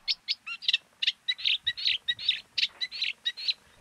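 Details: A Eurasian Reed Warbler hidden in summer reedbed greenery chatters a steady run of short, repeated churring and chirping notes, two or three each second, less harsh and more even than a Sedge Warbler.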